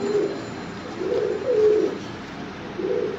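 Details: Domestic fancy pigeons make short, separate, low hollow coos, three to four soft rounded notes spaced by quiet gaps over a faint background hiss.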